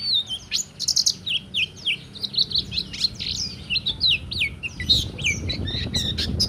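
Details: Oriental white-eye in lively, continuous song, used as a master song for training or to lure other birds: rapid high warbled phrases of sliding whistles and chirps, with low rumbling background noise.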